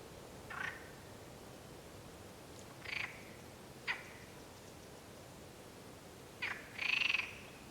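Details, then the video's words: Mallard at the San Antolín pond in Zamudio, 16 May 2020. Brief raspy quacks come in ones and pairs, five in all. The final call is drawn out and strongest, set against constant low noise. "SOINUAK ETA ZARATAK (BASAHATE PUTZUAN 3) / Anas platyrhynchos"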